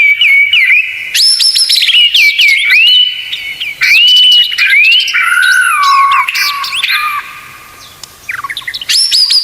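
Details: Murai batu, the white-rumped shama, singing full 'tembakan' fill masteran: varied rich whistles, quick rising and falling sweeps, sustained level tones and brief stutters, phrase after phrase with only short gaps.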